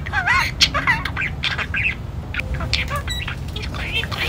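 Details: Pet budgerigar that picked up words from neighbours and keeps repeating "chūhai", bursting into sudden song like a musical. Squawky, chattering talk with quick rising and falling high notes sits over a steady low hum.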